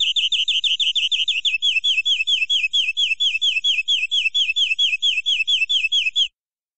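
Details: Native local canary giving ornate full-fill master song: a six-second run of varied high slurred chirps, about five per second, changing note shape midway before stopping into silence.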